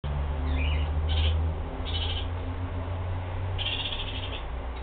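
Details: Kakariki (New Zealand parakeet) giving short, bright chattering calls in four separate bursts over about five seconds, over a steady low rumble of background noise.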